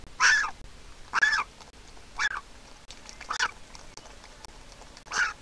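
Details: Young Griffon vulture at a nest in Israel, hatched 22 April 2021, begs for food while its mother comes to feed it; five rasping, squeaky calls at uneven intervals of about one second.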